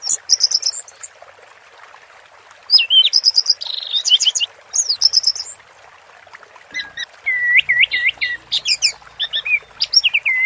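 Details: Orange-headed thrush 'teler' song in separate bursts: quick stuttering whistles, then buzzy trills, then a final phrase of looping, warbled whistled notes, with short pauses between bursts.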